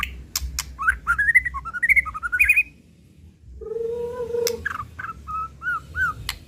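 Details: White-rumped shama giving a run of rising whistled notes, a pause, a low drawn-out note, then a few looping whistles, with sharp clicks throughout.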